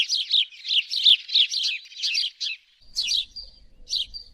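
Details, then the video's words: House sparrow calling: a rapid run of bright, harsh chirps, about three per second, then a short pause and a few spaced, slightly rising chirps with a faint thin whistle between them. "Sparrow bird call-صوت عصفور الدوري"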